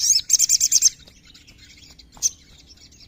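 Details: Sooty-headed bulbul singing a fast run of about seven sharp, high chirped notes in under a second, then near silence with a single bright note and a brief chirp at the end.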